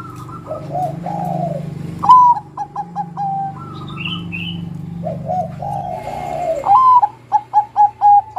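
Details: Several doves cooing over a low hum, led by a Bangkok zebra dove said to coax song from young birds; its phrases are a sharp whistle, rapid stuttering notes and a long coo, twice.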